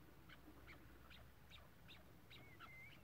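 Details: Chukar partridge uttering clipped chuck notes about every 0.4 seconds, with a short whistled slur from another bird near the end, against low rumbling background noise.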